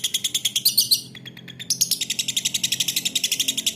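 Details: Lovebird singing in the long ngekek chattering style: rapid harsh, high chirps strung together, a short lull after the first second, then resuming at about eight notes per second, with a faint low hum underneath.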